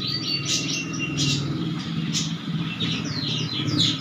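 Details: Canary singing rapid high chirps and short falling trills in bursts, partly masked by a steady low rumbling hum like passing traffic.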